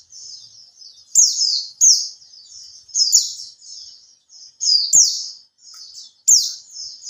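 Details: Oriental white-eye (pleci) in captivity, three months in care and beginning 'buka ekor' singing, gives a lure song: sharp high chirps opening into rapid twittered trills, repeated in short bursts with soft clicks between.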